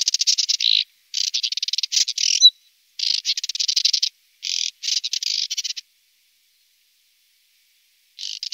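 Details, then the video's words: Moussier's redstart giving harsh, scratchy, high-pitched bursts under a second long, in five or six groups separated by short pauses; nothing else is heard. "BIRDS VOICE : The Moussier's redstart BIRD"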